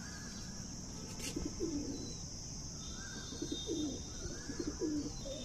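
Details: Punjabi pigeon breed held at Chhawla, Najafgarh in Delhi; three short bouts of soft, rolling coos spaced about a second apart over a steady hum, with a brief knock early on.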